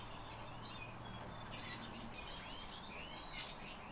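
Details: Black lark singing a rapid, continuous babble of thin whistles and chirps, with looping slurred notes growing denser toward the end, over a low background hum.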